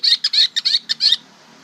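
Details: Greater green leafbird learning to sing, giving a bongkaran-style varied song: five or six quick, bright chirping bursts packed into about a second, then quiet.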